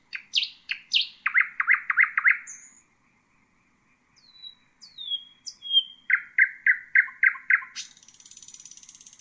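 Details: Common nightingale (Luscinia megarhynchos) singing loud rhythmic series of sharp repeated notes, a pause with thin descending whistles, then another rapid note series closing in a high buzzing trill; clean recording with no background.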